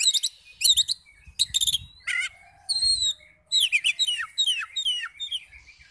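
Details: Oriental magpie-robin song used as a lure to stir other magpie-robins into answering: rapid bursts of high whistled and scratchy notes, then a run of clear rising and falling whistles repeated in quick succession.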